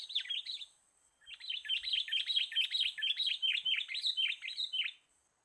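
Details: Sooty-headed bulbul call, a sound used to lure birds: a brief burst of sharp chirps, a short pause, then a steady rapid run of about twenty downward-sweeping chirps, roughly four per second, over a faint steady high whine.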